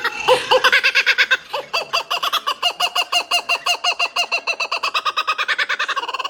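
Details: The Australian kookaburra's famous laugh, likened to a band of ghosts laughing together: a run of loud, harsh chuckling notes, about three per second, rising and falling in a long cackling series.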